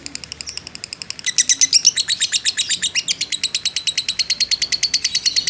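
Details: Fighter lovebird in a long 'ngekek' trill used to provoke other birds: soft chattering at first, then a sudden loud, dense run of shrill pulses that carries on evenly.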